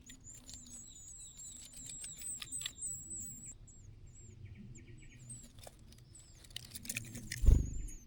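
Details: Treecreeper at its nest with chicks in a pine tree crevice: very high, thin chirps repeated quickly for a few seconds, then more scattered, over a low rumble and a thump near the end.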